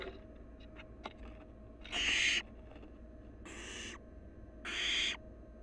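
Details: Wild barn owls, free to come and go, give three harsh, broadband hissing screeches, each about half a second long and spaced roughly a second and a half apart, over a steady low background hum.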